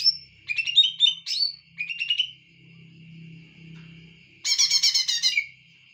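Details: Greater green leafbird singing a varied whistled song: quick chirping and rising-falling notes, then a thin sustained high tone, ending with a loud buzzy burst of rapid trilled notes.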